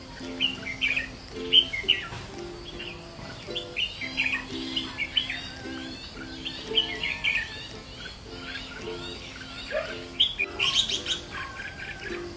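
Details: A red-whiskered bulbul (white-cheeked type) sings lively, chattering phrases of bright whistled notes, rising and falling rapidly, over steady low background music.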